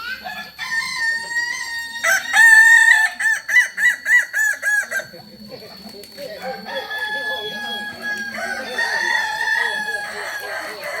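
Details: Kokok Balenggek rooster, West Sumatran breed with a crow of many stepped levels; a crow rolls through about a dozen rapid, evenly pulsed syllables, followed by softer crowing from another bird farther off.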